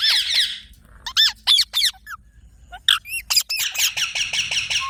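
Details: Green parrot calling with loud, high squawks, several sharp rising and falling screeches in bursts, then a rapid run of repeated harsh notes near the end.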